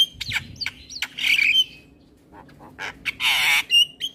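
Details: Male black-winged starling singing a full varied song used to train young starlings: harsh squawks and clicks alternating with loud broadband bursts and thin high whistles, then a short pause before more rasping notes.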